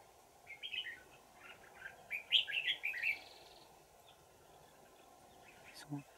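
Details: Red-whiskered bulbul in the wild, trapped with a decoy on 20 December 2018, known for a bell-like twisting forest voice: scattered chirps, then a fuller burst of warbling whistled notes mid-clip, followed by quiet background.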